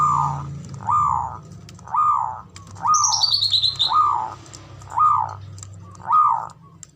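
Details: Male zebra dove calling in ngoar manggung style to stir mating arousal: seven rounded, arched coos repeated roughly every second, with a brief high descending trill from another bird partway through and a low background hum.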